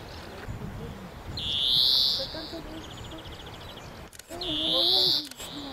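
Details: European greenfinch in Córdoba, Spain, April 2011, giving two drawn-out, nasal, buzzy wheezes about three seconds apart, with a brief dry trill between them and faint low background murmurs.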